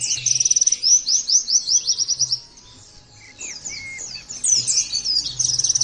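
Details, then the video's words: Caged Oriental white-eye opens with a rapid string of sharp, rising high chirps, goes briefly quiet with a couple of soft whistles, then resumes fast twittering. "terapi pleci bikin nembak mudah di tiru langsung ngotot bunyi"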